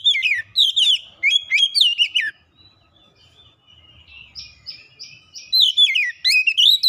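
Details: Lure song of the Oriental magpie-robin, meant to make a silent magpie-robin sing: a fast series of loud, sliding whistles with buzzy overtones, a short soft lull with faint notes, then another energetic whistled burst.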